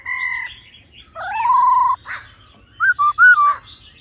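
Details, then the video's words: Female and male laughingthrush, the female calling while the male sings in a seasoned wild voice, meant to fire up males fast. A level whistle, then a long rising, wavering note, a harsh burst, and four short bright notes. "khướu mái ro +trống hót giọng già rừng.kích trống nhanh căng lửa"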